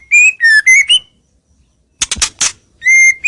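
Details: White-rumped shama lure song aimed at rivals: level whistled notes, a pause, a cluster of harsh clicks, then another clear sustained whistle.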